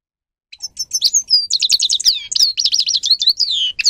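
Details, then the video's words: Grey-crowned goldfinch in full song, a dense continuous flow of high, rapid twitters, trills and downward-slurred whistles with little pause for over three seconds. "(Carduelis caniceps) Goldfinch song Best for training"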